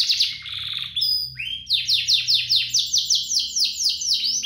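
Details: A pair of vigorous canaries singing, used as tutor song for young canaries: a buzzy high trill, a brief pause, then a long series of steeply rising whistled sweeps repeated about four times per second.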